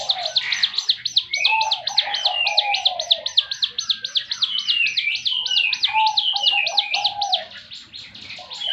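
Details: Extended 'tembakan' song from a Javan fulvetta (ciblek gunung): a long, unbroken stream of high, sharp chips, about four a second, with occasional lower sliding whistles beneath.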